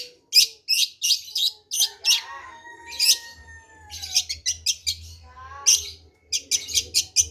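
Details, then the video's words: Song of a long-tailed shrike: loud rasping chattering notes in quick series, broken by a pause where thin drawn-out whistles slide downward, then rapid harsh bursts resume, with a low hum in the background. "Kicau Burung Centet Pastol"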